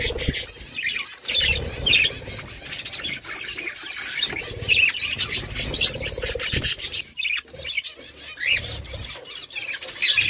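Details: A group of budgerigars keeps up continuous chirping and warbling, scratchy chatter punctuated by brief sharp squawks, with a faint low hum beneath the calls.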